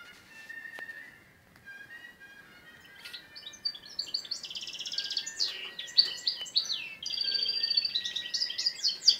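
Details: Balkan-crossed canary in song training, delivering a rapid run of high buzzy trills and sweeping whistled notes that build after a quieter start, with a steady faint tone running underneath.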